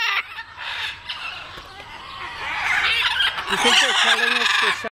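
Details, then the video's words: Macaws waking up at a bird park in Athens, Greece, give a steady stream of harsh, raspy, overlapping squawks, with a few lower, more nasal honking notes near the end. "Macaws Wake Up"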